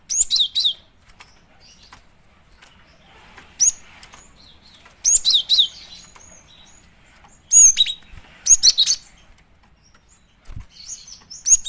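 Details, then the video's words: Female cinereous tit lure call: repeated bursts of high, piercing chirps and down-slurred notes every few seconds, separated by short quiet gaps, with one soft low thump near the end. "Pancingan suara burung gelatik batu betina"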